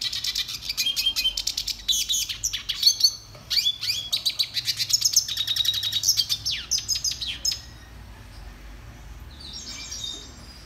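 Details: A red siskin's training song: about seven seconds of rapid, high twittered trills and clipped chirps in varied bursts, then the singing fades to a faint, thin whistled note against near silence.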